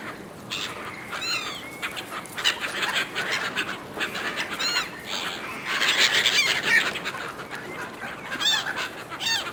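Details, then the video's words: Gulls squabbling over food thrown to them, uttering loud arched squawks in quick irregular bursts, several birds calling at once against steady background noise. "Seagulls fighting over food, Seagulls calling"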